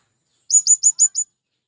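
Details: A single quick series of five sharp, very high chips, the last one softer, from a male blue-crowned hanging parrot calling to attract wild birds.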